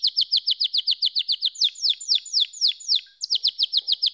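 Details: Canary song made of fast, evenly spaced descending whistled notes, about four per second, shifting midway to longer sweeping slurs, then returning to the quick repeated pattern.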